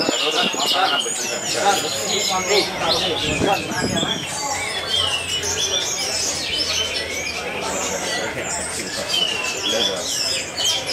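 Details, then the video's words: Orange-headed thrushes at the Magelang Vaganza singing contest, 8 May 2022, in a head-to-head bout with one bird on its first outing after moulting: a dense stream of bright, varied whistles and rapid chattering overlapping without pause, over crowd murmur. "Duel Seru Anis Merah"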